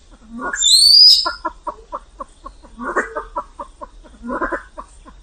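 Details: A high rising whistle over a harsh grunt opens this Vietnamese pheasant sequence, followed by rapid clucking with two louder raspy bursts.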